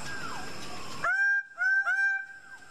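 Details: Greater bird-of-paradise (Paradisaea apoda) giving loud, nasal, harmonic calls, held flat then dipping, three in quick succession, after a stretch of dense background calling from other birds.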